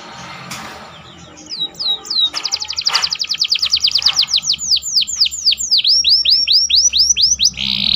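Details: Canary song with mimicked phrases, used to teach other birds: a few chirps, then a fast steady trill slowing into loud, evenly spaced downward-sweeping whistles, ending in a buzzy note.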